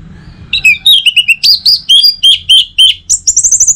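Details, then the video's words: Morning song of an orange-headed thrush, used to coax other birds into singing. Rapid run of short, clear whistled notes, about four per second, stepping up and down, ending in a higher fast trill. "Saatnya Buat ANIS MERAH NGEPLONG Gacor dirumah. Pancing dengan suara burung ini baik pagi hari."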